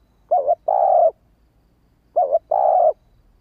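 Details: Urging call (thúc) from a female spotted dove, given to spur quick replies from males: two low coo phrases under two seconds apart, each a short fluttering note followed by a steady sustained one.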